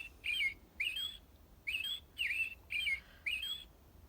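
An American Robin sings a run of six short, clear, warbled phrases, rising and falling, about one every two-thirds of a second, over quiet background.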